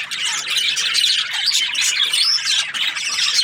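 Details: Happy budgie chirping: a dense, unbroken stream of high, scratchy chirps and warbled squeaks, with brief thin whistles laced through the chatter.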